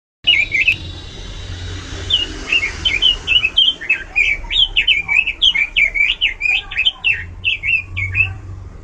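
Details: Oriental magpie-robin singing loudly with much variation: a long run of rapid, slurred whistles rising and falling, each note quick and bright, with short pauses between phrases.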